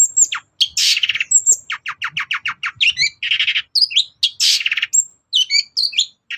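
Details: Long-tailed shrike's morning song aimed at provoking other birds to respond: a quick rattling series of short notes between harsh buzzy bursts and whistled twisting phrases, crisp against a quiet background.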